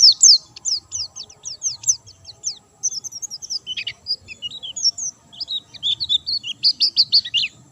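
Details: Vigorous white-eye song from a bird not given stimulants: evenly spaced high downslurred chips at first, then a varied warbling jumble of squeaky twitters.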